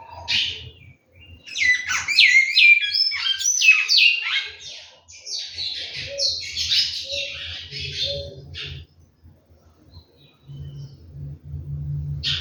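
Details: Captive large-billed seed finch from a bird-breeding setting, singing a fast run of loud, high whistled and slurred notes that swoop down and up for about nine seconds, then quiet with low hum and faint soft chirps.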